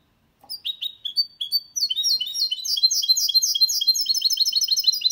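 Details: Goldfinch and canary cross singing without errors, a tutor song for males and chicks: several spaced chirps open, then a dense, rapid high twitter of repeated notes continuing to the end.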